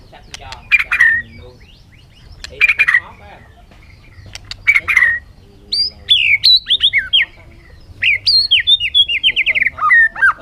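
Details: Harsh, scratchy calls repeated about every two seconds, then a lively stretch of varied whistled notes sliding downward in quick succession.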